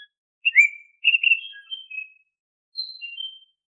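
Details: Oriental magpie-robin song used as a lure for caged birds. Short separate whistles: a quick downslurred note, then a run of clear tones, then a higher, thinner pair after a pause.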